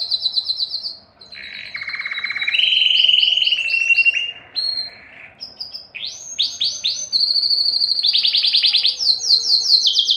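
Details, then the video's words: Belgian canary song meant to stimulate females for breeding, a varied sequence of rapid trills shifting between high and lower pitches, with a loud rolling middle passage and bright chattering phrases near the end. "تغريد كناري للتسميع و تحفيز الانات للتزاوج 24- Canário cantando para atrair fêmeas para a reprodução"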